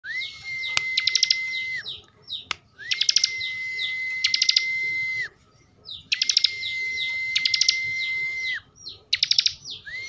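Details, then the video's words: Caged bar-winged prinia from Slawi, Tegal, Central Java, singing in the ngebren style: a long steady whistled note with rapid buzzy trills layered over it, repeated in bursts roughly every two to three seconds with short pauses between. "kicauan Ciblek bren"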